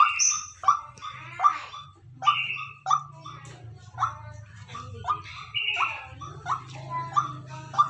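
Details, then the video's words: Decoy white-breasted waterhen repeating short, harsh mid-pitched notes roughly every 0.7 seconds, mixed with higher rising buzzy notes, over a steady low droning hum in the background. "Tiếng quốc mồi kêu"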